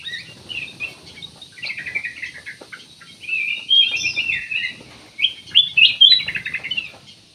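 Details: Lively song of a black-naped oriole serving as a lure to get other birds singing: rapid trilled chatter and bright slurred notes, growing louder and denser midway, ending in quick rolling phrases.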